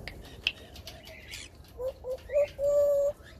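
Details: African grey parrot kept as a pet, said to talk non-stop; a short series of pure whistled notes, the last held for about half a second, with faint chatter and room noise behind.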